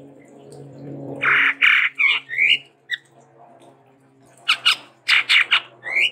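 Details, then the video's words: Tepus tunggir merah, the chestnut-rumped babbler, said to be endemic to Sumatra, utters loud harsh squawking bursts and rising slurred notes over a low steady hum. "TEPUS TUNGGIR MERAH GACOR VARIASI"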